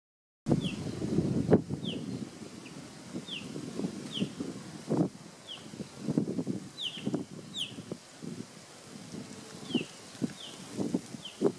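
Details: A male vermilion flycatcher gives thin, sharp descending chips, roughly one a second, over loud low rustling and thumping noise.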